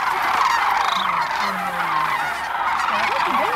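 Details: Thousands of sandhill cranes feeding in a barley field at Monte Vista Wildlife Refuge give dense, overlapping rolling bugle calls, a continuous wall of rattling trumpeting with no pauses.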